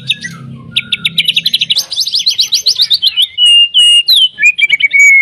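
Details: White-rumped shama song used to provoke other shamas into singing: a fast series of rapid repeated chips building into a rolling trill, then loud pure drawn-out whistles sliding downward, with a low murmur at the start.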